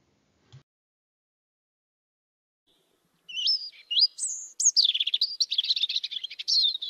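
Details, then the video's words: A European robin, a Central European garden bird, sings thin, high, silvery phrases of slurred whistles and rapid trills that shift in pitch, starting after a brief low thump. "Das pummelige Rotkehlchen ist nicht nur von der Gestalt her ein Sympathieträger, sondern auch durch seinen schönen Gesang."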